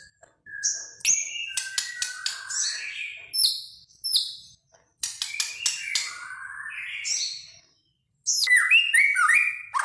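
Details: White-rumped shama, Medan type, singing varied high phrases: crisp ticking notes, slurred whistles and chattering runs, broken by short silent gaps, recorded cleanly without background noise.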